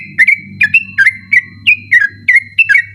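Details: Sooty-headed bulbul singing eagerly at night for use as training song for night-contest birds: evenly repeated whistled notes, each dipping then rising, about three per second, over a low humming background.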